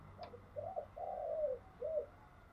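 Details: A spotted dove, used as a lure for decoy bird training, gives a quieter phrase of smooth gliding coos against steady low background noise and a brief click.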